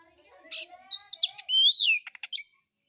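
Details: White-rumped shama used as a lure to provoke singing, rough material: a short phrase of buzzy chips, a soft low tone, and a loud rising-falling whistle followed by clicks.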